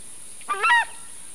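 A Southern screamer gives one short, loud, goose-like honk that rises slightly and breaks off in under half a second. A faint steady hiss sits behind it.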